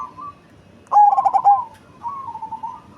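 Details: Large-bodied cemani zebra dove, said to have a big, deep bass voice, gives a rolling phrase of throbbing, pulsed coos, loudest near the one-second mark, with softer trilled cooing before and after against a quiet background.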